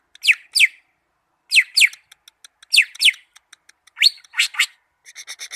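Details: Greater green leafbird from Malinau singing paired, sharply descending whistles about every second, closing with a soft, rapid ticking series.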